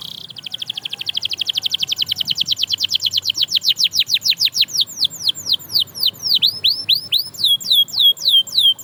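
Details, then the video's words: Canary singing to inspire other canaries to sing again: a long rapid trill of high descending notes that gradually slows into wider, looping whistled sweeps, repeated about three times a second. "Watch How This Canary Inspires Others to Sing Again!"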